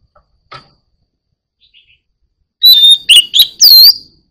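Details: White-rumped shama giving a short, very loud burst of song after near silence: piercing whistled notes mixed with sharp clicking sounds, lasting about a second and a half.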